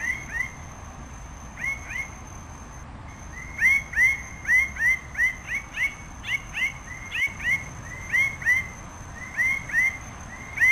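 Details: Red bird-of-paradise, a species of the Raja Ampat islands of Indonesia, giving a rapid series of short upslurred whistled notes near two kilohertz, repeated about three times per second in loose bursts, with a steady high insect-like tone behind.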